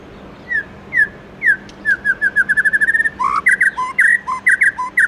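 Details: White-rumped shama singing a forest-style morning song: spaced falling whistles that speed into a rapid trill, followed by rich looping two-note phrases.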